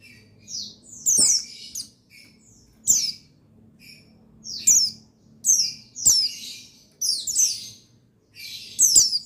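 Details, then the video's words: Male buxtoni white-eye (pleci), 8/8/21, a therapy sound meant to make reluctant birds sing; high, bright chirps and twittering phrases repeated every second or two, each note sliding steeply downward, with occasional soft clicks. "Buxtoni Menaikan Emosi Burung Pleci Bahan Agar Pleci Bustomi Gacor Cepat Bunyi"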